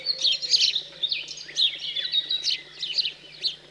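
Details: House sparrow fledglings begging at feeding time, rural central France on a cold 15 June 2020; continuous excited, harsh chirps in clustered bursts, several per second, loud and close.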